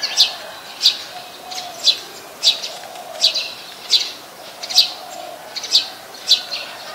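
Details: Brown-throated sunbird recorded 13 January 2021 in Ubon Ratchathani, Thailand, using a Nikon P1000: a steady series of crisp, high chips about every 0.6 seconds, dominating over a faint low background hum.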